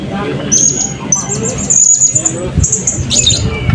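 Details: Blue-crowned hanging parrot singing at an open songbird competition in Balingian, 2024: thin, high whistled notes and short sliding trills in bursts, over constant crowd chatter and low rumbling noise.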